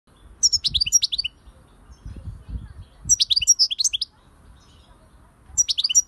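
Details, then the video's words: European goldfinch song in short bursts of high, tinkling twitters and chirps, each phrase about a second long and repeated roughly every two and a half seconds, with low muffled knocks between. "SAKA KUŞU ÖTÜŞÜ"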